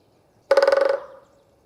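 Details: A great spotted woodpecker hammering a dry trunk drums a single half-second roll of about a dozen rapid, resonant strikes, ending in a brief ringing fade.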